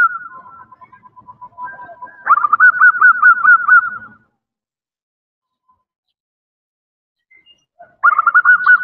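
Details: Zebra dove, female, calling a male: a wavering cooing phrase, then a louder run of quick pulsed notes lasting two seconds, a long silence, and a fresh burst of the same rapid notes near the end.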